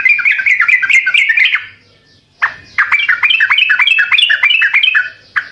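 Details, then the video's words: Sooty-headed bulbul song played to make other birds reply, a lively chattering phrase of quick descending chirps, a brief gap, then a longer run of fast, repeated warbled notes. "Burung Trucukkan video asli suara asli gacor Setel di rumah pasti pada nyaut"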